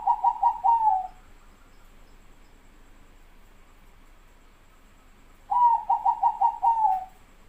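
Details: Zebra dove, Bangkok and local perkutut, singing two phrases of soft cooing: a quick run of five or six short rolled coos that ends in a longer falling note, then a pause of about four seconds before the phrase repeats.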